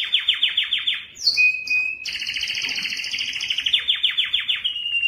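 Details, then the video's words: Belgian canary singing to stimulate females for breeding: rapid buzzy trills of repeated notes, a sudden high whistled phrase, then fast rolling trills switching between tours of different pitch. "تغريد كناري للتسميع و تحفيز الانات للتزاوج 24- Canário cantando para atrair fêmeas para a reprodução"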